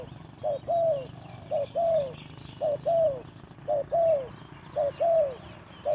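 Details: Spotted dove used as a lure for bird trapping, giving fast low cooing: a short note then a longer, slightly falling coo, the pair repeated about once a second, steady and clear over quiet background.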